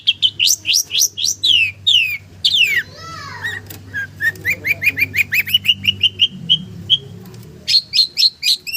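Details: Long-tailed shrike from Java singing a rich, filled song: steep falling whistles, then a steady series of quick, evenly spaced ticking notes that slows to a few sustained tones before loud chirps resume.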